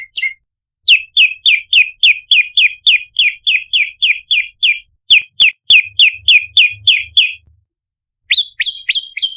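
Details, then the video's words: Prinia lure call for attracting birds: long run of crisp, clipped chirps delivered about three per second, briefly paused, then resumed with higher, rising-falling notes; faint low thumping mid-way. "Prenjak Gacor - Variasi Tembakan Pancingan Prenjak Lumut - Masteran Suara Pikat Prenjak Kepala Merah"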